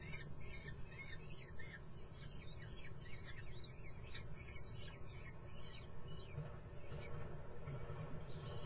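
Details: Common kestrel chicks in a nest in Muttenz give a rapid, overlapping run of harsh, raspy squawks for about six seconds as a fast train passes with a steady low rumble, then a few scattered calls.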